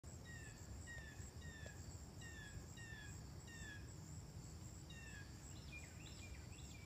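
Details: Carolina wren (Thryothorus ludovicianus) singing in Grenfell Glen, Ottawa, Ontario, on 19 August 2015: a rapid series of repeated, slurred falling phrases, about two per second, over a steady high insect drone and low rumble.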